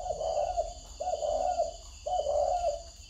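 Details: Spotted dove cooing in the style called căng gù tít: three drawn-out, mellow coos, each lasting about half a second or more, spaced roughly one second apart. Steady high buzzing bands run behind them throughout.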